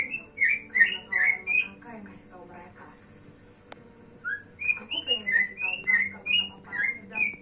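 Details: Male white-rumped shama from Indonesia giving a rich, varied song: rapid bursts of clear whistled notes with sharp high chips, loud ringing phrases repeated in quick sequence, a short quieter pause midway, then another run of bright whistles.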